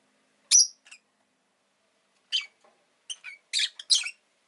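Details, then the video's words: Rosy-faced lovebird calling with loud, harsh high-pitched chirps, one early then a quick cluster of four or five near the end, separated by silence. "Lovebird Chirping Sounds"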